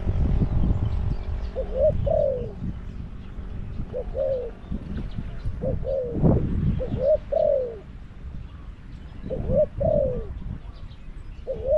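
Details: Spotted dove kept as a caged decoy for wild doves at Song Phi Nong, Thailand: spaced two-note coos, short then drawn out and falling, amid low rumbling noise and occasional thumps.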